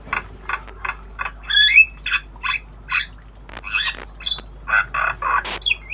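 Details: Tame Javan myna learning sounds, obyogan song: evenly spaced raspy chattering notes about three each second, mixed with short clear whistled slides rising and falling.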